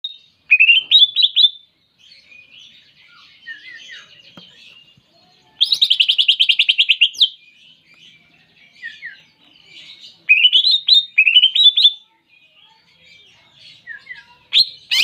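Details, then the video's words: Greater green leafbird song: bright rapid trilled bursts and chattering phrases, loud bursts around 1, 6 and 11 seconds with quieter twittering between, clean recording without other sounds. "Cucak Ijo Tembakan Jernih"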